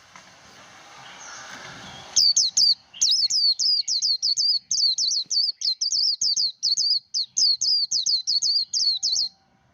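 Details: Japanese white-eye singing the 'líu đấu' contest-style song, used to fire up and voice-train white-eyes: after two seconds of faint hiss, a fast run of high, sharply looping whistled notes repeated steadily for about seven seconds.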